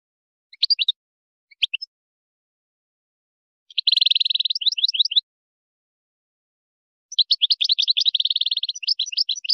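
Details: European goldfinch, Moroccan wydani song style, 2020 tutoring recording for young goldfinches and hybrids: a few scattered chirps, then a dense buzzy trill with lilting notes, and after a pause a long twittering and trilling phrase.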